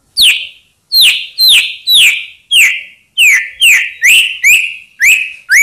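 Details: Song of a white-rumped shama meant to stir rival birds into answering: a steady series of about a dozen sharp downslurred whistled notes, each with a fading tail, delivered roughly twice per second.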